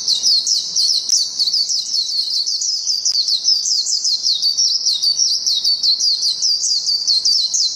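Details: A Japanese white-eye (Zosterops japonicus) gives a long, unbroken stream of very high, thin twittering notes, rapid and jumbled with no clear pauses, against a quiet background.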